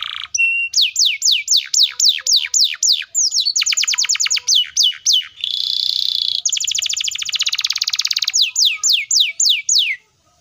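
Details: A loud singing canary performs a long, tight-speed roll to make young and silent canaries answer. Runs of falling whistles alternate with fast rattling trills and a dense buzzing roll, ending abruptly.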